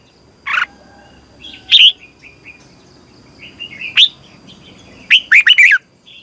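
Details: Red-whiskered bulbul singing in the morning as a training lure for other bulbuls: scattered single sharp notes, soft distant calls between them, and a closing run of four quick, bright, curving notes.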